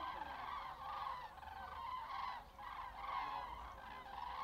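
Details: Flock of common cranes heading north, seen on Wednesday 20 February at 17:15 local time in late winter; many overlapping trumpeting, rolling calls merge into a continuous, pulsing chorus.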